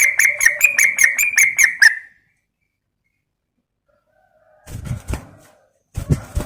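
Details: Female yellow-vented bulbul calling to a male, used as a lure: about two seconds of rapid, bubbly chattering notes repeated quickly, then silence, followed by a few dull low thumps.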